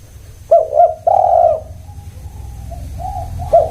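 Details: Spotted dove giving a coo phrase of two clipped notes and a long husky coo, then quieter follow-up coos and a new phrase starting, over low hum.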